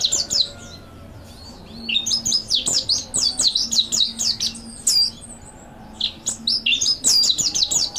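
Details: Master song of a mountain white-eye for training, praised as lively and full: clusters of rapid, high, sliding chirps in bursts, separated by brief quiet gaps.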